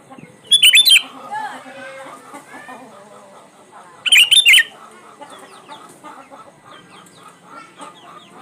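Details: Lure song of a sooty-headed bulbul for birds that rarely sing: two loud, fast, chattering phrases about three and a half seconds apart, with a steady busy chorus of other small birds in between.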